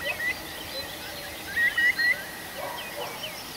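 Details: Birds singing at night in a forest in the Arkhangelsk region in June: faint scattered whistles, then three short, bright whistled notes in quick succession over a soft, steady background hiss.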